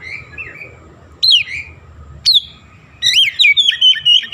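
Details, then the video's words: Lively oriental magpie-robin copying Javan myna sounds: two separate piercing downslurred whistles, then a rapid burst of repeated bright chirps and twisting whistles running to the end. "KACER GACOR BESET SUARA JALAK KEBO"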